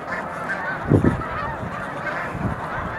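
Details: Huge flock of snow geese gathered in March at the mucklands near Montezuma, New York, making a dense, continuous chorus of nasal yelps, with two loud, close honks standing out near the middle; birds circling and settling to land.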